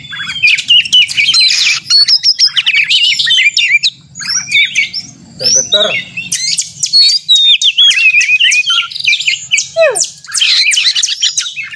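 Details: White-rumped shama song used to goad a caged bird into singing, contest-simulation style: rapid varied whistles and buzzy chatter with brief pauses, one long descending whistle near the end, faint low hum beneath.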